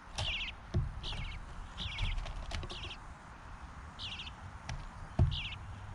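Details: Bluebird fledglings begging while fed by their father: short high chattering bursts of quick descending chirps, six spaced bursts over a low steady rumble with a few sharp clicks.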